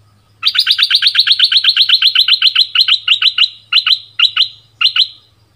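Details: Decoy bulbul from southern Thailand, merbah lekir, pours out a fast even string of about twenty clipped chirps, then slows to spaced pairs and single notes near the end; faint low hum underneath.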